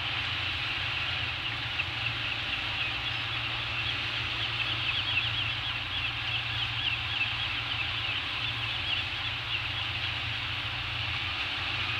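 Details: Steady broadband hiss like wind or distant surf, with a low engine-like hum underneath and no clear animal calls.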